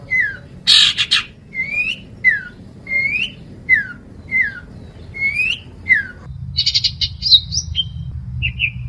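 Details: Long-tailed shrike in full song, recorded as a tutor for caged birds: a series of upward-sweeping whistled notes repeated at a steady pace, followed by a shift to high buzzy chatter and short twittering notes.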